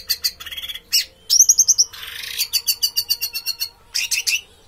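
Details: Caged Orange-headed thrush in full teler song: rapid bursts of high chips, a short bright trill of repeated notes, then a long fast stutter of clicking, scratchy syllables.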